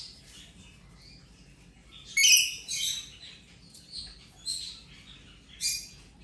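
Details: Rainbow lorikeet, recovering from an injury, playing: a loud shrill screech after two seconds, followed by three or four shorter grating squawks spaced about a second apart.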